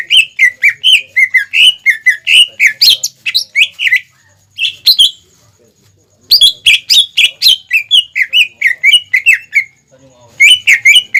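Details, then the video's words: Greater green leafbird in energetic song used as a lure for young birds: long bursts of fast whistled and chattering notes, several per second, separated by short silent gaps. "PANCINGAN CUCAK IJO GACOR INI SANGAT CEPAT DI TIRU CUCAK IJO MUDA ATAU CUCAK IJO BAHAN"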